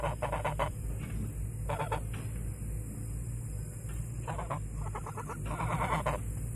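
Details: Geese kept on a meadow calling in brief honking bursts, several clustered groups of harsh nasal notes with quiet gaps between, set against continuous low rumbling and a high steady hiss.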